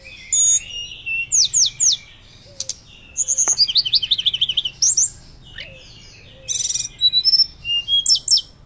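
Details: Hill blue flycatcher in loud, persistent fluting song for prompting and training other birds; quick series of high slurred whistles, repeated down-slurred notes in a fast run, with occasional soft low tones.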